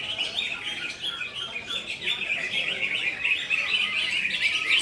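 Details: Greater green leafbird in konslet song, delivering a dense, jittery flow of high twitters about four notes a second, the chatter growing louder toward the end.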